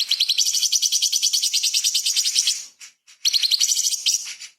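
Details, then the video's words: Light-vented bulbul in lively song, used as a master recording for magpie-robin and shama training: a long, dense, high-pitched rattling trill lasting over two seconds, a brief gap, then a shorter burst. "CUCAK CUNGKOK SUPER GACOR ! Full Isian TEMBAKAN ISTIMEWA BURUNG KECIL Untuk Masteran Murai Kacer"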